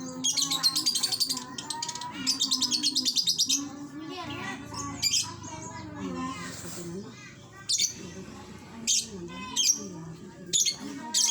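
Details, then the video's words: Lapwing calling: loud, shrill, rapidly pulsed high bursts repeated through the first few seconds, then shorter sharp notes, over a background of lower tonal chatter and other bird-like sounds. "Boring lakbet bunyi"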